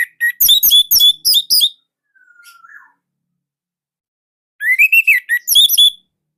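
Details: Orange-headed thrush, Indonesia, a loud tutor singer for young birds, gives quick whistled chirps in two bursts. A soft, thin, flat whistle sits in the quiet gap between them.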